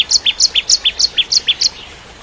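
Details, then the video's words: Ciblek kristal, the Bar-winged prinia, as a lively tutor for white-rumped shamas: a quick run of about a dozen sharp, high chirps that swing between two pitches, low-high-low-high, then stop. "Masteran Cimblek Kristal Gacor (masteran murai Batu trotol)"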